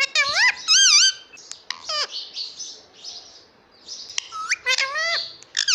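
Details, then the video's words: Indian ringneck parakeet, a pet indoors, talking and repeating "Mommy" in a high, squeaky parrot voice. Bursts of wavering, whistly syllables are broken by sharp chirps, with music in the background. "Indian ringneck parrot talking everything || Mummy papa talking"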